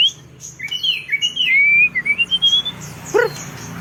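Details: Songbird singing while sunbathing: a run of bright whistled notes that slur and sweep upward, a long level whistle near the middle, then a short lower rough burst near the end.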